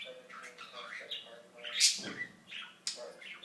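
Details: Talking pet budgie babbling word-like phrases, with a loud hissy squawk in the middle and a sharp click afterwards.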